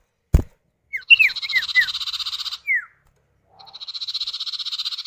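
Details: Male and female common iora answering one another, a lure for getting other birds to call: a sharp knock, then several falling whistles over a buzzy trill, and a second long buzzy rattle.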